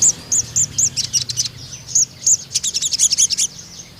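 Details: Ruby-cheeked sunbird singing vigorously in long bursts, used as a lure and training song for young spotted males: very high, thin, sharp chips repeated rapidly, then a fast, dense run of ticking notes.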